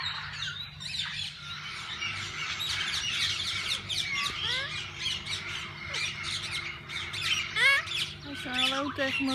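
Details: Mixed parakeets in a walk-in aviary at a parrot zoo give busy high squawks and chattering chirps. Several upward-sweeping notes come near the end, with faint human voices and a low background hum.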